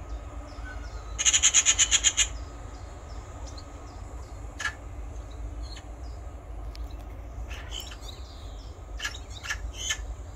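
A Eurasian magpie gives one harsh, rattling chatter of about nine rapid notes in a second, then faint scattered calls over a steady low rumble.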